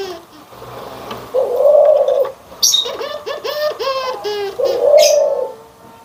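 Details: Cooing of a Barbary dove, white and brown birds compared: two soft low held notes around a rolling run of short arched syllables, with bright high chirps of other birds scattered through.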